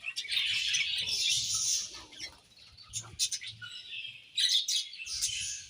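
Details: Budgerigars chirping while eating, a dense warbling chatter at first, then thinner scattered chirps and clicks, with a low hum in the background.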